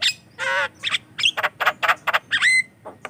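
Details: Javan myna in busy song used as a lure for other mynas: a long nasal rasp, then quick grating chacks and a final rising whistled squeal.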